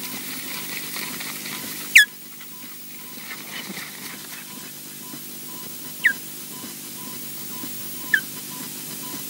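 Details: Osprey at Loch Garten, Scotland, caught on a wildlife nest camera as a male lands on another osprey's back; three short, sharp whistled chirps sliding downward, spaced several seconds apart, over steady electrical hum and faint ticking.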